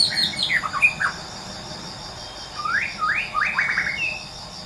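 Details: Wild white-rumped shama singing vigorously in nature: a cluster of varied sharp notes, a pause, then a row of four or five strongly rising whistled sweeps. Steady insect buzz continues underneath.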